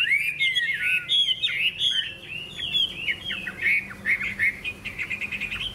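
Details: Golden, big-tailed hwamei flicking its wings while singing in contest style (hót đấu); clean whistled slurs, some rising and some dropping, linked into a lively phrase that ends in quick repeated chips.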